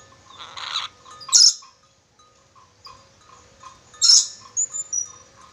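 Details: Red-breasted parakeet of Sulawesi, praised as a clever whistler, gives several rasping bursts and piercing high squeals, then a few brief clipped notes, with pauses between them.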